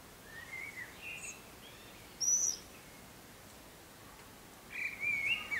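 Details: At least six Common swifts fly around and scream near occupied nest boxes and a roof-ridge corner (at least two nests, probably three), giving thin, high screaming bursts, one sharp mid-clip and a longer run at the end, over steady outdoor hiss.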